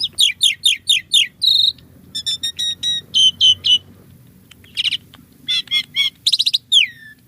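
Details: Lively singing Javan pied starling with a rich mix of fill-in phrases: quick repeated chirps about four per second, a buzzy note, clipped whistles and a final downward-sweeping whistle.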